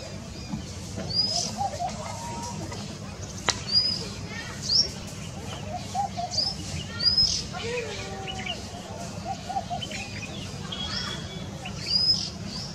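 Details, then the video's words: A male Oriental magpie-robin gives short, clear whistled calls of varying pitch every second or two, over a steady low rumble and faint voices. "Calls of Male Oriental magpie-Robin"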